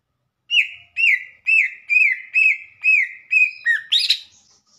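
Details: Cucak ijo repeating a clear whistled note about twice a second, each arching up and down, eight times in a row before ending on a harsher, higher burst.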